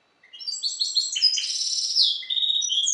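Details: Captive European goldfinch hybrid, bred from the Balcanica goldfinch subspecies, pours out quick twittering phrases, rattling buzzes and clear high chirps in a lively continuous stream.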